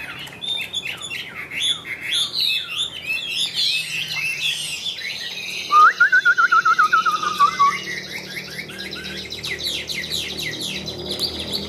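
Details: Chinese hwamei, a Tam Hoàng bird, singing high and loud: a rich, varied stream of clear whistles, slurred notes and harsh chatter, with a rapid run of repeated descending notes near the middle.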